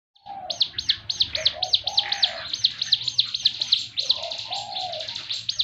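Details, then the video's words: Ciblek gunung (Javan fulvetta) singing a very special 'tembakan' (rapid-fire) song: sharp high chipping notes fired about four per second in a steady burst, with softer, lower drawn-out whistles underneath. "tembakan burung ciblek gunung yang sangat istimewa sekali"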